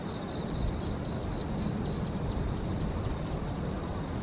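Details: Little grebe chicks on the Tama River give a thin, high, rapid run of short peeping notes, several per second, over a steady low rumble of wind or background noise.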